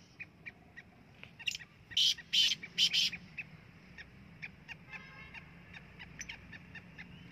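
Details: Black francolin calling from the top of a rock: a burst of four loud, harsh, grating notes in quick succession mid-clip. Fainter scattered notes come before and after, over low background rumble.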